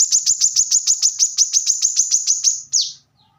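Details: A plain-throated sunbird, locally kolibri kelapa, gives a steady high trill of quick down-slurred notes, about six per second for nearly three seconds, closing with one longer falling note.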